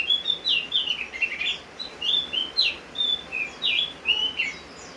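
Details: Rain-time song of a Javan grey-throated white-eye, lively and continuous: jumbled whistled notes swinging up and down, roughly three or four phrases per second, with a soft rain hiss in the background.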